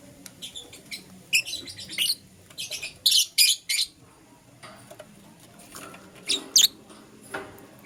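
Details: Lovebirds, Euwing Green Opaline and Lutino, chirping in the morning: shrill, high chirps and harsh squawks in irregular bursts, densest around the third and sixth-to-seventh seconds, with quieter scattered tweets between.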